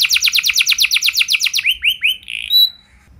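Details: Canary in full song for training other canaries: a rapid repeated trill slows into a few drawn-out slurred notes, ending with a short buzz and a thin whistle.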